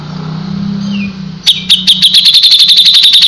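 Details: Grey-cheeked bulbul singing: after a low droning background, a burst of loud, high, evenly repeated chips starts and runs steadily at about four notes a second to the end.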